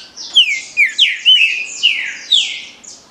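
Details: Green-winged saltator singing the Paraná liso batido style: a rapid, loud series of about seven rich, downward-sliding whistles, evenly spaced roughly every half second.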